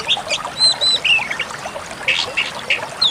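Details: Flowerpecker song used as a master track for training songbirds: high, thin twittering notes and short whistled slurs around the upper range, with quick sharp chips repeated irregularly over three seconds.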